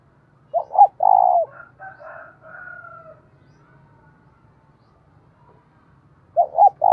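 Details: Decoy spotted dove calling to provoke rival doves into fighting: two short throaty coos followed by a longer drawn-out coo, softer murmuring notes after, then the pair of short coos starting again near the end.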